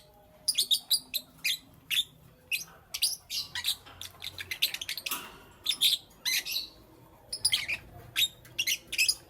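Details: Lovebirds kept as pet parrots in the morning: sharp, separated high chirps and short squeaky notes in irregular bursts, some doubled, with brief quiet gaps between calls.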